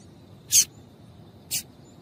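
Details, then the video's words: Two quick, very high chips one second apart, the second softer, from a female yellow-bellied seedeater calling to stimulate males. "Fêmea de Papa Capim Chamando para Esquentar Macho"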